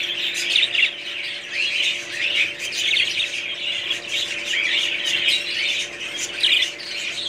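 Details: Many budgerigars chatter continuously with high, scratchy twitters and short warbled notes that swell and fade every second or two, with a low hum behind.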